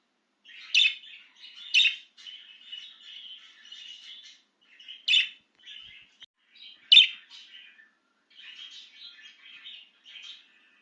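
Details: An excited budgie outside its cage warbles continuously in a high, scratchy chatter, punctuated by four strong clicking notes spread irregularly through the stretch.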